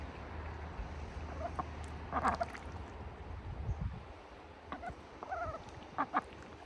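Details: Farm ducks kept in a bucket in wintertime give short, nasal, harmonic quacks, clustered near the end in quick pairs, with scattered splashing knocks earlier and a low steady rumble of background noise.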